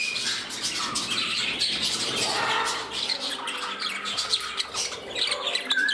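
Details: Indoor budgerigars, a temperamental bird among them: lively chirping warble mixing scratchy clicks, short squawks and whistled notes, with a clear whistle near the end.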